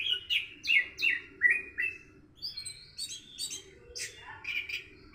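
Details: Orange-headed thrush in the morning, learning a 'rock and roll' style song: lively whistled and slurred phrases near the top of the range, quick descending notes, then a brief pause and varied chirps, over a steady low hum.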